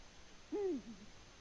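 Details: A single low hoot from a Eurasian eagle-owl in the nest, Latvia, February 2020: a rounded note that swells and falls, then a short, softer trailing grunt. Quiet background.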